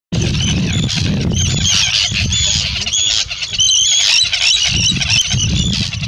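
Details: Arctic tern calls in the UK, July 2016: dense, harsh, high-pitched squealing notes overlapping almost continuously, with steady low wind rumble underneath.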